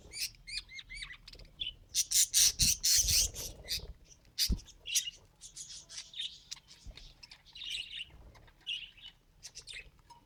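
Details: Budgerigar attempting to talk, giving a dense, fast stream of high scratchy warbles, clicks and squeaky notes, loudest early on, with a few low thumps.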